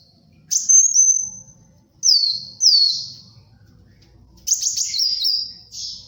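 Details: Purple-throated sunbird, kolibri wulung, singing actively, used for luring and tutoring birds: thin, very high whistled notes, each sliding slightly downward and trailing off, in three separated bursts, the last a rapid twittering string.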